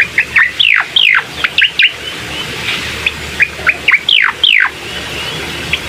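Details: Bar-winged prinia song used to stir a quiet bird into singing: clipped high chirps alternating with loud, long downward-swooping notes, in two bouts separated by a short pause.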